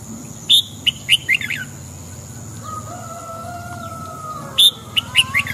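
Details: Red-whiskered bulbul singing at dawn: two bursts of quick, lively whistled notes separated by a pause, while a long, low, wavering whistle runs through the middle; steady faint high whine beneath.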